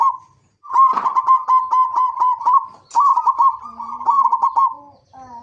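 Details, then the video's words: Local zebra dove lure song meant to get other zebra doves calling: two long, bubbling trilled coo phrases with a sharp rhythmic pulse, then a faint lower tone near the end. "pancingan perkutut lokal gacor AMPUH pandai BIKIN semua BURUNG PERKUTUT GACOR RAJIN BUNYI"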